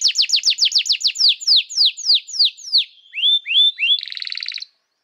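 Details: Canary song used to tutor young canaries: a quick run of descending whistled sweeps slowing gradually, three upslurred notes, and a short buzzy trill ending in silence.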